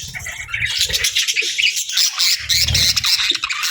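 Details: Feeding budgies keep up a dense, hissy stream of high twittering and squawky chirps, over a faint low thumping in the background.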